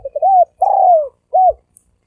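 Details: Spotted dove giving thổ sấm đồng coos to draw males, females and wild birds: a rising short note, a long downward croo, then a clipped arched note.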